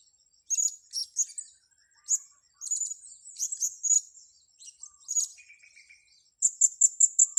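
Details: Blue-crowned hanging parrot lured to grass, calling busily: irregular bursts of sharp, high-pitched squeaky chirps, then a fast, even run of about six piercing notes at the end.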